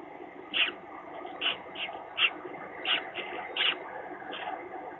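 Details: Peregrine falcon at a nest webcam in Gdynia, 17 April 2021, the day the fourth chick hatched: short, high, thin calls repeated irregularly about every half second over steady background hiss.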